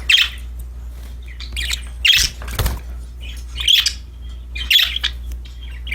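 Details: Cheerful budgerigars at play produce four loud, harsh chirps about a second apart, with softer twittering and a brief rustle between them and a faint low hum beneath.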